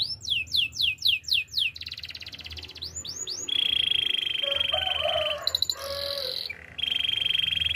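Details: Belgian canary singing a training song: a run of quick upward-sweeping whistled notes, then buzzy rolls and a long, steady, high rolled trill, with soft low bubbling notes underneath.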